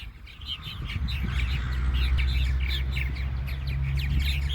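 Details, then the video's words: Purple martins at Fireman's Beach on Conneaut Lake, picking mates; rapid chattering, gurgling chirps repeat several times a second over a steady low wind rumble. "Purple Martins"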